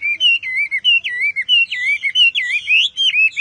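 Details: Hwamei in loud song, a rapid chain of fluid whistled notes wavering up and down, repeated without a break for the whole stretch.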